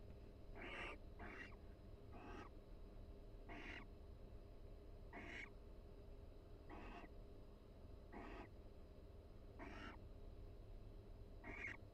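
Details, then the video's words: Relaxed barn owl pair in a Florida university nest box during breeding season, exchanging soft calls while grooming each other; a run of short wheezy hisses, one quick double at the start, then evenly spaced notes. "Barn Owl Pair Chats and Preens Inside the Nest"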